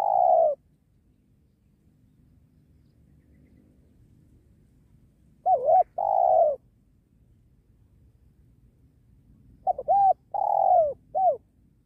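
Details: Spotted dove, a strong cooing decoy bird used while trapping wild doves beside a sacred tree, cooing in mid-pitched phrases of two or three short notes ending in a longer rolling coo, repeated about every five seconds over a faint low hum.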